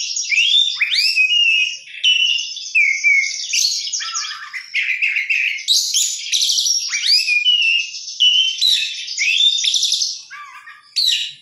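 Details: Oriental magpie-robin delivering energetic gacor song packed with isian: rapid chains of rising whistles, buzzy warbles and trilled notes in bursts separated by short pauses, ending with a sharp call.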